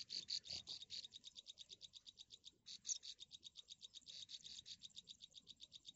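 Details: Three nestling birds calling while waiting in the nest for their mother to bring food; dense, high chirping repeated in fast rhythmic pulses, several notes per second, continuing almost without a break.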